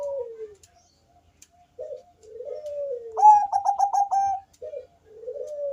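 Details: Zebra dove of the Bangkok type sings a deep, bassy, melodious song meant to draw other doves into calling. Falling drawn-out coos frame one loud, ringing burst of about six quick pulses, then a short note and another coo.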